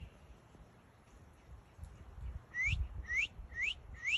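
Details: Northern cardinal singing: after a quiet start, four clear rising slurred whistles follow about half a second apart, each sweeping upward and bright, over faint low background rumble.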